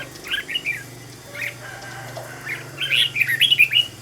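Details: Red-whiskered bulbul singing, recorded for training a decoy bird to sing; soft slurred whistles early on, then a louder run of bright warbling notes near the end, over a steady low hum and room noise.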